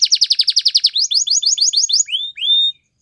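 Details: Song of a male canary: a rapid pulsing trill of about ten notes, a second faster rolling phrase, then two drawn-out rising-and-level whistled notes before silence.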